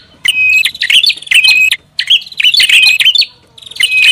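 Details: Lure call of a prinia, given as a noisy version: three long, dense bursts of shrill chirps and trills separated by short silences, loud and close.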